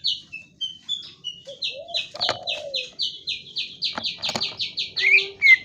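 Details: Greater green leafbird singing a long, fast series of short, high chirped notes, each slurring slightly downward, repeated nearly three times a second. A few sharp clicks and a brief lower whistle sound underneath.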